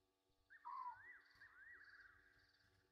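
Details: At a South African waterhole, Gowrie dam in Djuma Game Reserve, Sabi Sand, Egyptian geese call at night in late August 2023: a brief strong downward-sliding note over a drawn-out wavering tone, with faint rhythmic pulsing and a low hum behind.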